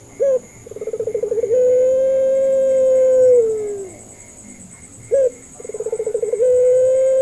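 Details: Puter pelung dove, a local Indonesian dove, recorded as a lure to prompt reluctant or learning doves to answer. A stuttering pulsed opening runs into a long, steady, drawn-out coo that sags at the end. A second phrase starts with a short note.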